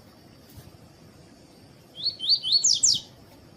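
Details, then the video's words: Captive Double-collared Seedeater of the tuí-tuí song style, a male recorded with a female calling, used to warm up other males: a quick burst of five rising, slurred whistles over about one second, with a steady high tone behind it. "COLEIRO TUÍ-TUÍ E FÊMEA CHAMANDO PARA ESQUENTAR COLEIRO TUÍ-TUÍ"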